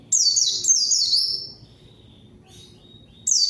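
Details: Lure song of a vocal white-eye meant to provoke rival white-eyes into answering: two quick bursts of high, sharply descending chirped notes, a pause with faint distant twitters, then a fresh burst beginning.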